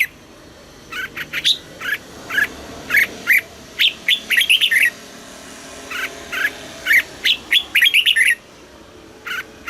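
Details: Red-whiskered bulbul song in the southern master style from Thailand, used to stir caged birds and train young ones: clear whistled notes and chattering warbled phrases repeated in groups every few seconds.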